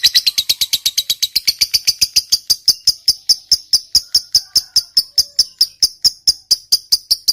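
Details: Lovebird of the fighter type doing the long chattering song style known as ngekek panjang, played as a lure for silent birds: sharp high clicks repeated in a steady run of about two to three per second, with no other sounds.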